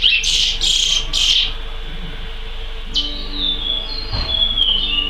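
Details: Chestnut-bellied seed finch singing in the praia style: three harsh, rich bursts, a pause, then a drawn-out whistled phrase dropping gently in pitch, with a low thump near the end.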